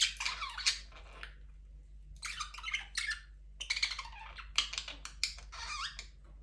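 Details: Budgerigars chirping in a breeding aviary with a first chick and more eggs: rapid scratchy warbling chatter in dense bursts, with short gaps and frequent overlapping notes.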